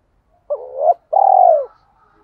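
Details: Decoy-luring "hai hậu" call of a spotted dove in the "giọng thổ" voice, low-noise recording: a rising wavering note followed by a long, throbbing coo that drifts downward, then silence.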